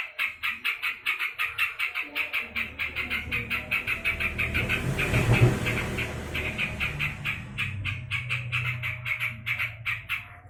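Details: Yellow-vented bulbul, said to be angry, giving a long run of rapid scratchy notes while a low engine-like rumble rises and then fades.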